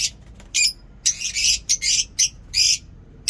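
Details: Home aviary lovebirds making loud, raspy, high squawks in short bursts, some doubled, spaced irregularly across a few seconds.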